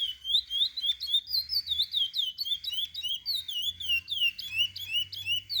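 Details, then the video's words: Chestnut-bellied seed finch, captive, singing to teach young birds: varied clear whistles gliding and curling, some short upward flicks, delivered quickly with a faint low hum in the background. "Curió para ensinar filhotes."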